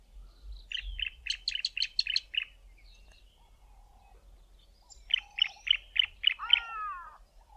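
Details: Bar-throated apalis pair duetting, the male's call louder and lower: two bursts of six or seven rapid, sharp, high notes, about five per second, with a slurred, falling call ending the second burst.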